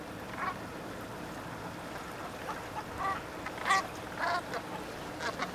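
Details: Bernache geese at Penfoulic, Fouesnant, recorded on 30 November 2010: short nasal honking calls with a harmonic ring, scattered and irregular, several in quick succession near the end over steady background hiss.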